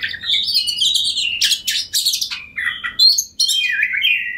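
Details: Kacer, the Oriental magpie-robin, in energetic ngobra song used as a rival-baiting recording: sliding whistled notes that rise and fall, dense harsh rattles, and a sharp downward slur near the end, with faint low background hum.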